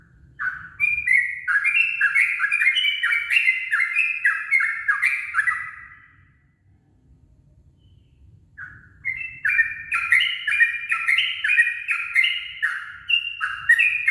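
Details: Dawn song of a yellow-vented bulbul, played as a lure. Two long bursts of rapid, jumbled, chattering warbles are split by a quiet gap of about two seconds. A soft low rumble runs underneath.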